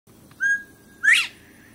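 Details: Northern bobwhite singing at a water garden in Franklin, North Carolina: a level whistled note followed by a loud, sharply rising whistle, the classic two-part call.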